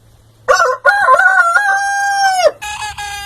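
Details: Rooster crowing: one strong two-second crow opening with choppy rising syllables, then a long steady drawn-out note that drops sharply at the end, with a short second call after a brief pause.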